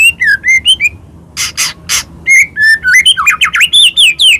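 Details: Singing white-rumped shama used to rouse other birds: clear whistled phrases, harsh buzzy bursts in the middle, then rapid varied slurred whistles and trills with strong overtones.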